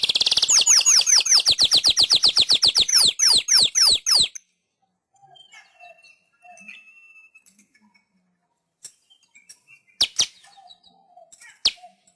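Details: Weaver song as a training master for pet birds: a loud, fast series of sharp, descending chirps for about four seconds, then near silence with a few faint ticks and isolated notes.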